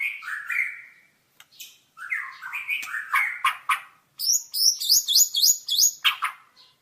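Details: Varied white-rumped shama song: mellow whistled phrases and clicks, a brief pause, then a fast, high, repeating upslurred trill and a final rich whistle.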